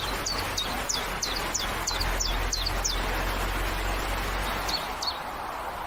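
A common chiffchaff repeats high, dropping chip notes about three per second, pauses, then adds a few more, over a low rumble of distant traffic.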